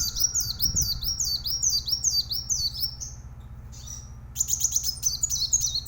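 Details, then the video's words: Plain sunbird, known locally as kolibri wulung, singing a high-pitched series of rapid, down-slurred, repeated notes about twice a second, a short pause, then a quicker run of sharp chirps, with a low background hum. "masteran handal Kolibri Wulung gacor"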